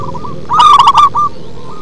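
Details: Bass-voiced local zebra dove giving one loud, rapid phrase of staccato coos that break into a short rolling burst, with softer cooing just before and after against a low hum.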